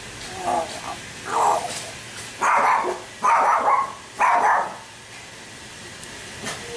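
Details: Juvenile common hill myna practising speech gives a run of short, rough, voice-like bursts, four louder syllables spaced about a second apart after two quieter ones, sounding hoarse and mid-pitched over a quiet background.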